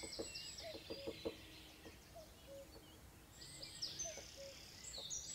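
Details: Robin song: high, thin warbled phrases open the recording and return in a second burst near the end, with scattered lower clicking notes and faint background noise between.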